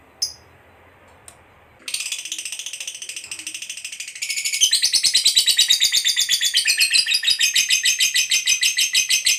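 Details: Fighter lovebird singing a long ngekek, used to provoke other lovebirds to trill. Faint chirps come first, then a sustained, very rapid, shrill rattling trill that steps up in loudness midway and continues evenly.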